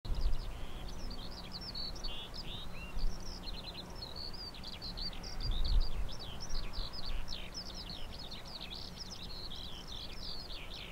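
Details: Eurasian skylark singing near wind farm turbines at Balsham, Cambridgeshire, on 30 March 2021: a continuous, rapid stream of high warbled and trilled notes without pauses, over a steady low turbine hum and gusting wind.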